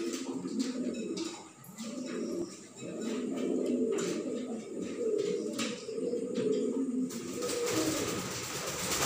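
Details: Cooing from a group of fancy pigeons kept in a loft: low, rolling throaty coos come in bursts of a second or two, overlapping between birds, with brief scuffles and a rush of broadband noise near the end.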